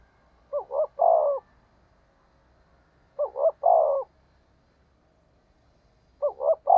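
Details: Spotted dove kept as a decoy for wild doves, cooing three times at about three-second intervals. Each phrase has two brief looped notes and a louder, rounded coo.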